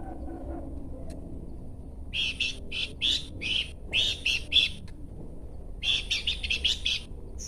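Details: Horsfield's babbler chattering: after a quiet start, series of harsh buzzy bursts, then a short pause and a faster run of clipped rasping notes.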